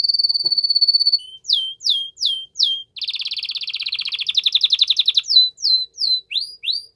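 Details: Canary in strong song to stimulate a female into mating posture: a sustained trill, sharp descending whistled notes, a dense buzzy rattle, then more falling slurred notes.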